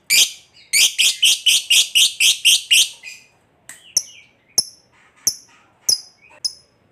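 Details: Lovebird in the fighter style, used to lure other lovebirds into singing, opening with a rapid run of harsh, buzzy chattering notes, about four per second, then falling to scattered sharp high chirps.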